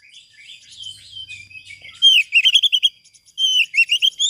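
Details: Oriental magpie-robin singing hard in a master recording for training silent birds: soft, varied warbling that breaks into rapid, repeated, loud whistled phrases of looping notes.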